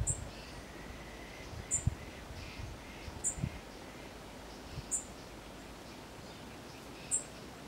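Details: Cuban Bullfinch (Melopyrrha n. nigra) at Cayo Coco, Cuba, 27 February 2017, giving thin, very high, clipped call notes about every one and a half seconds, over a low rumble of wind and ambient noise.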